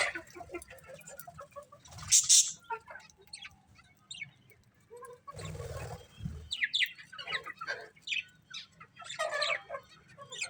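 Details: Colourful budgies chatter in soft, steady twittering, with two loud rushing bursts, possibly wing flaps, and livelier chirps near the end.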